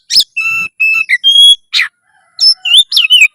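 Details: Loud, lively Oriental magpie-robin song meant to stir breeding drive and fighting spirit. It mixes short chirps with clear, level whistled notes, then a pause, then twisting, dropping whistles. No other sounds are heard.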